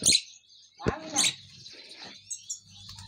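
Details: Common myna (Acridotheres tristis) mimicking Pashto speech: a sharp hissy burst, then a harsh, voice-like phrase near the one-second mark, followed by faint chirps.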